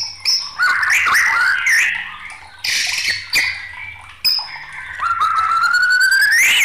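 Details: White-rumped shama singing in an agitated, raging state as song-tutoring material: rich varied phrases of rising and falling whistles, harsh buzzy bursts and trills, ending in a long whistle that climbs sharply upward.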